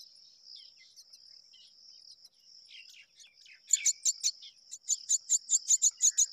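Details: A pair of mynas rearing their chicks together: a quick run of short, harsh chirps, about four each second, set against a steady, high, insect-like drone heard throughout.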